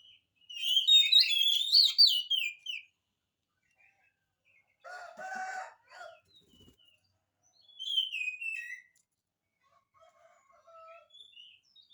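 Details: Oriental magpie-robin song used as a lure for lazy singers: a loud burst of tumbling whistled notes, a pause, a short harsh buzzy burst, then another falling whistled phrase and faint tones trailing off.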